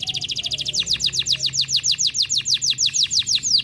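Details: An F1 canary in full active song, offered as a master recording for tutoring, sings a fast, bright rolling tour of repeated downward-sweeping notes, about six to seven a second, high and ringing throughout.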